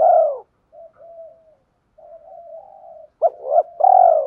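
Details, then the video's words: A decoy spotted dove calls wild doves in the morning, starting with one long mellow coo, then quiet wavering murmurs, then a clipped double note leading into another full, falling cooo. "tieng chim cu gáy kích bổi, chim cu mồi gáy gọi bổi buổi sáng"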